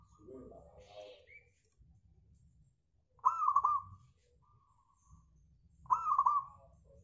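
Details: Zebra dove, a local bird, singing as a lure for other birds: a brief chirp at the start, then two clear phrases of fast stuttering coos about three seconds apart, with low background rumble between.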